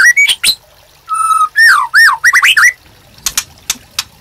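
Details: A white-rumped shama sings master phrases for training caged birds and luring them into song: brief whistles, a long, steady note, then fast, looping whistled slurs, followed by faint clicks.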